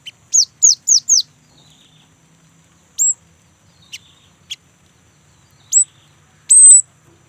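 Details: Young great tit singing persistently to encourage other great tits to sing: four quick high, falling whistles, then scattered single high notes and short clicks over quiet surroundings.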